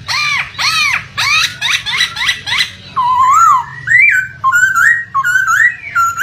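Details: Laughingthrush lure song to spur a quiet bird: rhythmic loud arched chirps, then a sequence of rising whistled slurs stepping up and down in pitch.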